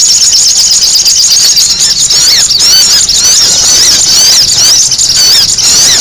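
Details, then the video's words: Lure recording of sogon, a sunbird, calling noisily. Continuous shrill, high-pitched squeaking with looping zigzag notes about twice a second and no pauses, over a faint background hiss. "SUARA SOGON RIBUT UNTUK PIKAT"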